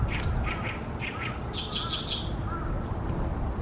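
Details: Loudly singing Oriental reed warbler in Ashiya, Japan, late May 2020, hidden in a tall tree beside a reedy nesting pond; grating repeated notes alternate with short whistles, then a harsh chattering phrase, over constant low background rumble.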